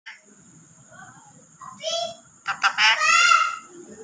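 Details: Parrot imitating a cat's meow when prompted by its owner: after soft background voices, a short nasal cry and then a drawn-out harmonic mewing wail near the end. A steady high whine runs throughout.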